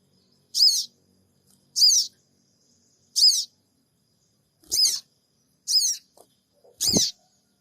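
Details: Repeated 'cingik cingik' call of a sooty-headed bulbul, played as a lure in Purbalingga and recorded on an Android phone: six harsh buzzy chirps roughly every second, with faint low knocks near the end.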